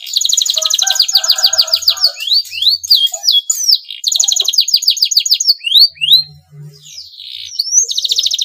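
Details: Male canary in breeding condition, singing to stimulate rival canaries; fast pulsed trills and strings of downward-swept notes, a brief pause, then a final buzzy trill, with faint low hum.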